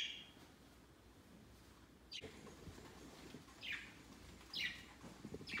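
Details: Budgerigars kept as pets, gathered on a Christmas tree next to their cage on their first Christmas Day; four short, downward-sweeping chirps sound at irregular gaps over faint indoor background noise.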